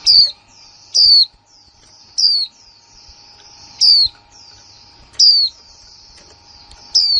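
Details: New female white-eye from 2020 calling in the kick mộc là líu style. Six sharp, high whistled notes each slide downward, spaced roughly a second apart, against a continuous high-pitched hiss and a low steady hum.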